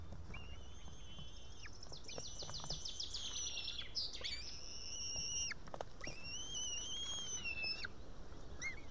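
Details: Young white-tailed eaglet, female, on a nest cam in Estonia on a June evening, calls for help to be fed after failing to tear a live fish: long thin whistled notes with a slight rise, plus a quick chattering run of high notes.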